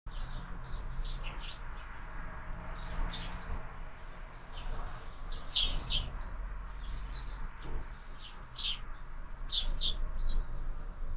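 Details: Sparrows at a feeder fixed to a window during breakfast, birds fed year-round; a busy chatter of short high chirps, several overlapping, over a steady low hum.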